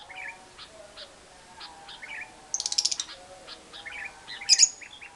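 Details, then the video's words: A lovebird's long ngekek trill, used as a lure recording to get silent lovebirds to sing: a rapid buzzy run of high pulses lasting about half a second amid soft chirps, then one sharp shrill burst later. "Pancingan Suara Lovebird Ngekek Panjang, Burung LB Gak Bunyi Jadi Gacor Ngekek Panjang"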